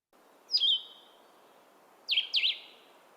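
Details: A Blue-headed Vireo sings short, sweet, cheerful slurred phrases, slower than other vireos: a single note, a pause of over a second, then a quick pair, all high and clear over faint hiss.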